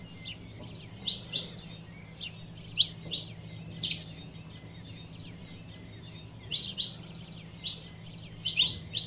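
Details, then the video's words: Female saffron finch calling for the male: quick series of bright chirps and thin whistles in clusters, a pause midway, then more chirps; low hum in the background. "Fêmea de Canário da Terra Chamando 🐦 Piado de Canario da terra Fêmea"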